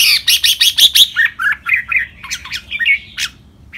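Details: Caged red-whiskered bulbul training song for other caged birds to copy, Thai competition styles such as lek-rik, lak-ble, lak-wai: quick bright chirps, then mellow warbled whistles in a rambling phrase.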